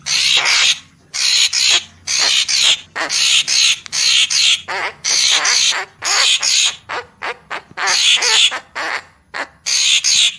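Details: Papuan magpie-robin lure sound: a dense, loud series of harsh, grating, scratchy bursts, closely spaced, with short gaps throughout.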